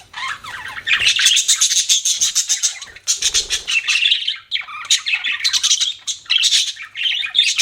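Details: Budgies chirping in a continuous stream of raspy, warbling chatter, quick squeaky notes running together with only short breaks.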